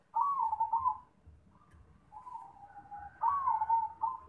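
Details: Zebra dove singing softly: smooth, drawn-out cooing notes that waver and slightly fall in pitch, repeated over a steady low rumbling background noise.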